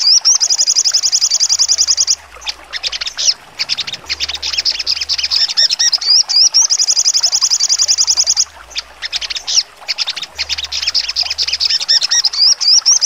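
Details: High-pitched 'nembak tajam' song of a sogon: two long runs of rapid, piercing trilled notes, broken by brief pauses and clusters of sharp chirps.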